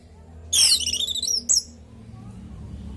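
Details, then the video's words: Orange-headed thrush in lively natural song, used as a lure so kept thrushes answer and sing: a dense, sharp high burst, then thin whistled notes trailing off, ending with one short high note, over a low background hum. "Pancingan burung anis merah|Agar nyaut Dan ikut ngeplong|"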